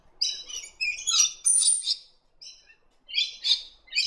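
A Scaly-breasted Lorikeet gives harsh, shrill screeching chatter in quick bursts, high-pitched and grating, with short pauses between phrases.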